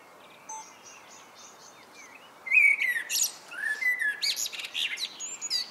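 A blackbird's evening song: a short burst of fluty, slurred notes that breaks into a high, squeaky twitter, over faint high chirping from other birds.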